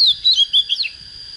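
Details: Untrained oriental magpie-robin just coming into breeding fire, giving a quick run of varied whistled and warbled notes that ends in a falling slur, then a steady high whine continues alone.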